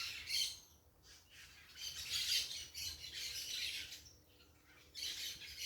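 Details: Parakeets making a racket in nature: repeated rasping, screechy squawks from several birds come in uneven bursts, with brief lulls between, and a short, loud outburst near the end.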